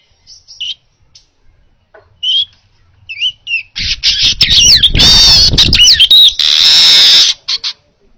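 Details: Baya weaver song recorded to train other birds: scattered soft chirps and short twisting squeaks at first, then a loud sustained buzzing wheeze with sharp whistled slides, stopping suddenly.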